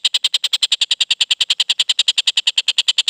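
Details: Collared kingfisher, a young bird just past its moult with a clear voice, giving a steady run of sharp, ringing notes, roughly three each second, all the same and evenly spaced.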